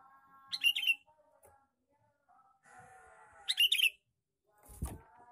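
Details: Male sooty-headed bulbul lure call, two bubbly chattering phrases about three seconds apart, with faint hum between and a low thump at the end.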